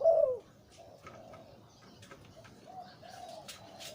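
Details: Zebra dove, a breeding male with a deep voice of the lio tan style: one loud, low, rolling coo at the start, then fainter, softer coos trailing on in the background with light clicks and knocks.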